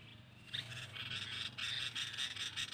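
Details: Sooty-headed bulbul lure call used to attract and trap wild birds: a run of short, bright, repeated chirping notes beginning after a quiet half second, with a steady low hum underneath.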